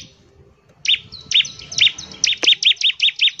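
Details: Bar-winged prinia sings a fast, vigorous song to get other birds singing: after a quiet start, loud, even, high chip notes repeated about three times a second.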